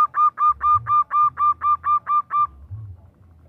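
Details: Female zebra dove calling a male: ten loud, regular arched cooing notes delivered in about two and a half seconds, then quiet with only a low hum.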